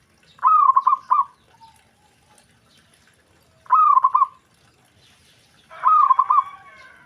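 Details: Zebra dove (perkutut) whose call other doves answer at once; three cooing phrases, each a rising note trailing into several fast throaty pulses, the last phrase overlaid by a harsher buzzy layer.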